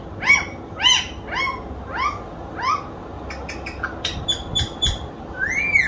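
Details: Pet parrot talking, said to clearly speak the phrase Allah hoo: a series of loud rising-then-falling harmonic syllables about every half second, followed by short clipped notes and a final drawn-out slurred call, indoors.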